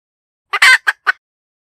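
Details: Short fragment of a hen's cackle: one brief cluck, a long, loud, harsh squawk, then two quick clucks, all in silence.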